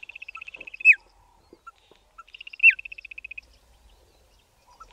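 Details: Bokmakierie pair in Southern Africa duetting: a quick run of high ticking notes ends in a loud downslurred whistle, repeated twice, with scattered soft notes in the gaps.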